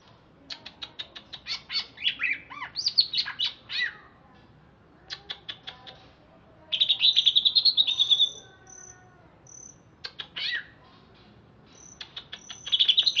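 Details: Freshly bathed greater green leafbird, caged, originally wild from Alas Purwo in Banyuwangi, sings a busy, varied mix of sharp ticks, bouncing chirps and a fast rolling trill, then scattered high whistles and chatter.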